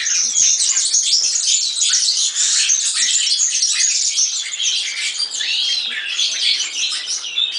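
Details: A European serin sings nonstop, an unbroken, scratchy, glittering rattle of very high notes packed tightly together.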